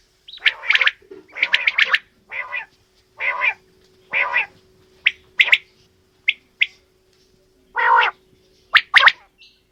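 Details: Quail, female and male, giving a run of rough buzzy notes followed by sparser sharp clipped calls, with pauses between and a thin continuous hum.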